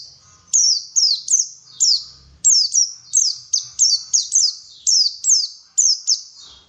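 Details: Pleci (white-eye) song played to prompt other birds into lively singing: some fifteen bright, piercing notes that each drop steeply in pitch, delivered in a fast, fairly steady stream with short gaps.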